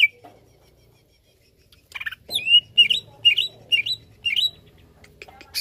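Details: Cucak ijo, greater green leafbird, giving a series of bright, slurred high chirps, roughly two per second, each note sliding and slightly buzzy, after a brief quiet start.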